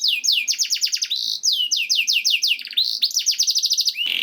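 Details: Canary trilling for a training recording meant to start canaries singing: repeated rolling phrases of steep downward notes, a couple of short whistles, ending in a brief harsh burst.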